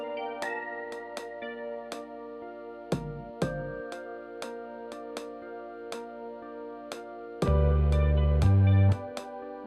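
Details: Gentle instrumental music of plucked strings and keyboard, with a few louder low notes near the end and no animal calls.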